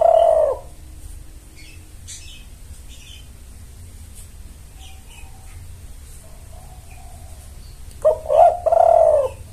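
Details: Spotted dove cooing as a lure to attract males: one gurgled coo phrase at the start, then a longer broken two-part coo near the end, with faint chirps from small birds in between.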